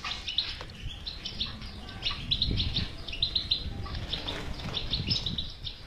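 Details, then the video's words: European goldfinch twittering, played to coax a silent bird into song: quick high chirps and trilled phrases come in close clusters throughout, with some deeper rumbling and soft knocks underneath. "علاج الحسون الصامت بتبته"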